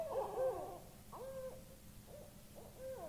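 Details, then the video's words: Owl heard in Topsham, Maine, 25 September 2015, giving hoarse, harmonic calls with short level hoot notes, in about four separate bursts spaced roughly half a second to a second apart, against faint low rumble. "Cool Owl making noises"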